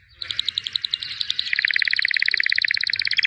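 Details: Song of a white albino canary, a 2017 champion: a rapid, even rattling roll of repeated notes that speeds up and grows louder midway into a dense, pulsing trill.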